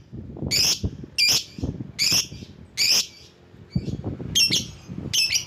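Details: Calling lovebird used as a lure for others of its kind, repeating loud, piercing squawks roughly every 0.8 seconds, each note sharp and high with a rasping edge, over a faint low murmur of background noise.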